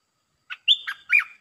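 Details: A decoy Red-breasted parakeet calls to draw down a wild bird holding territory: a single compact phrase of a short note, a steady high whistle and two bending downward notes, under a second long.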